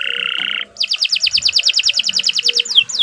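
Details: Canary singing a long song for training other birds: a steady buzzy trill opens, then a fast even series of repeated sweeping chips, closing with a downward slur.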